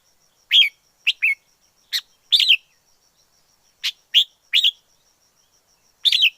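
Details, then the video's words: Wild red-whiskered bulbul giving two groups of crisp, chirpy whistled notes, each group of three or four quick slurs, separated by about a second of silence. "Chào mào rừng hót hay nhất 2020"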